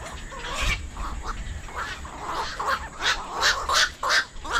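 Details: Black-crowned night herons: harsh, rasping squawks, rapid and overlapping from several birds, bursts coming about three per second with uneven spacing, over a steady high hiss.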